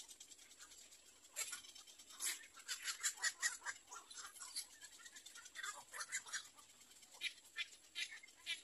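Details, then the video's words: Little egret chicks at their nest waiting for their mother, giving harsh, raspy bursts of chatter in irregular clusters, loudest through the middle seconds, over a steady hiss. "Baby bird little egr 3 waiting for mother"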